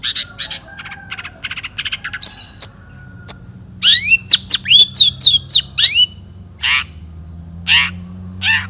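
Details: Long-tailed shrike, a national champion bird from 2016 in the one-point style, delivers a quick string of chips, then a fast series of about eight loud downward-slurred whistles, followed by rougher harsh notes spaced apart.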